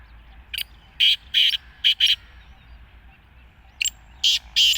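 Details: Black francolin, known locally as kala teetar, calling: harsh grating notes in tight clusters of two to three, a pause, then another cluster, over a low steady hum.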